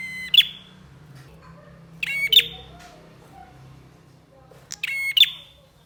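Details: Lively bar-winged prinia song for training birds: three phrases with quiet gaps between them, each a short buzzy drone that ends in a high, sharp note sliding down. Low hum and faint rustles behind.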